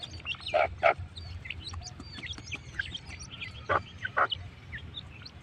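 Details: Partridge (teetar) calling in two loud pairs of harsh, rough notes, the first pair early and the second later, while many small high-pitched chirps twitter continuously behind.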